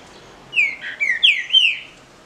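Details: Green-winged saltator singing during a contest between caged birds, a short phrase of four full, slurred whistles dipping and rising in quick succession.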